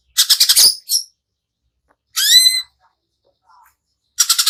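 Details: Greater green leafbird singing in rough, shot-like bursts: a quick stuttering high chatter, a pause, then a falling whistled phrase with stacked overtones, another silence and a final fast buzzy burst.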